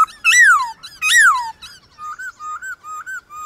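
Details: White-cheeked laughingthrush in a morning singing contest with wild birds, two loud rich whistles rising then sliding down, followed by a string of soft short wavering whistles.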